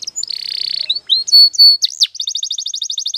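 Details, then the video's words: Canary song used for training: a long buzzy roll, a few drawn-out whistled notes, then a fast, evenly repeated chirping trill of about a dozen bright notes. "Your Canary Will Sing Immediately - Canary's Sound Training Every Morning"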